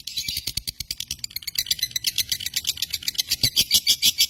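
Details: Lovebird of the josan type from Indonesia, singing a dense, rapid run of high, rattling chirps that blur into a buzzy chatter, with faint low knocks underneath.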